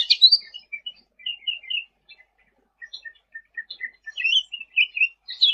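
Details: Sooty-headed bulbul in full, lively song, used for tutoring other birds: a bright opening chirp, then spaced short whistled notes, a quiet pause, and quickening twitters toward the end.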